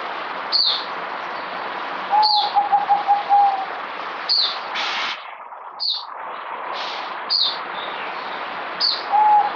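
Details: Zebra dove (merbok) song: two bursts of quick, bubbling coo notes on a steady low pitch, set among frequent sharp high chirps from other birds throughout.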